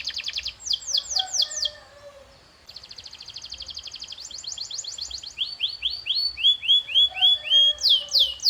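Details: Canary song in varied tours: quick falling notes, a pause, then a dense fine trill, upward-sweeping phrases and more falling notes, all high and clear.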